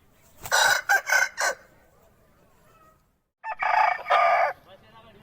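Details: Aseel rooster giving two strong crows. The first is split into three rasping segments. After a short pause comes a longer, steadier, drawn-out crow.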